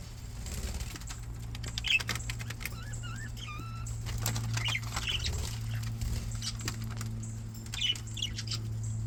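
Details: Contented pet budgies: a wavering, rising-and-falling warble among scattered short chirps, with a steady low hum and faint clicking throughout.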